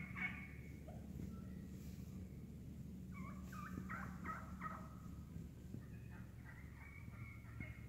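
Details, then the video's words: Feeding wild turkeys in a woodland flock make scattered short clucks and yelping notes in loose clusters, set over a constant low-pitched background hum. "Real Wild Turkey cutting, purring, clucking in the woods"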